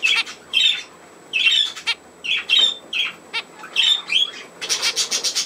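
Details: Budgerigars at play on 27 August 2024 give loud, rasping squawks and screechy chirps in rapid uneven bursts, ending in a fast run of thin, scratchy notes.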